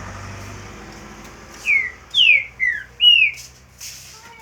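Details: Green-winged saltator in roncador-style song: a quick phrase of four rich, slurred whistles, falling and rising, delivered within two seconds over a low steady background hum.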